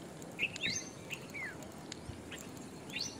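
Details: Sharp, squeaky notes from a jungle babbler (Argya striata), several short chirps and slurred rising and falling notes in three seconds, with soft background noise throughout.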